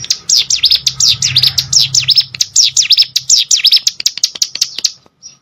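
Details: Hill prinia in training audio for competition birds, pouring out quick high looping notes that thin into sparse clicks near the end, with a low hum underneath.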